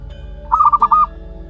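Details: Local wild-type zebra dove chick, one month old: a single short cooing phrase of about five quick rounded pulses on a steady mid pitch, over a low steady hum.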